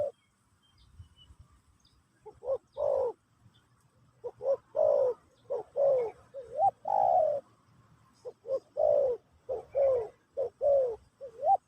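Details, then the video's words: A spotted dove sings in the Pesom or Kacuk style in a teaching session for a new bird. After a quiet start, soft hollow coos follow one another steadily, some with a small upward inflection at the end. "Burung Terkukur Pesom/Kacuk...Sesi Mengajar Burung Baru"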